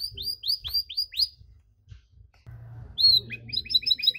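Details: Canary with long cengkok song, sung to provoke rival canaries: a run of four rising swept whistles, a pause, then quick doubled high chirps repeated rapidly.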